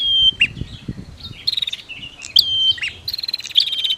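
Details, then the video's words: Prinias, female versus male, played to trigger singing: high chirps and a falling whistle, then rapid buzzy trills of clicking notes alternating with sharp chirps, dense and busy throughout. "SUARA Prenjak betina VS Prenjak Jantan"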